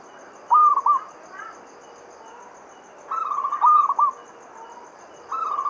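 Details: Local zebra dove (perkutut lokal) singing as a lure to stimulate other doves to sing: crisp, rolling cooing phrases of rapid stuttered notes, three bursts spaced a few seconds apart, over faint steady background hiss.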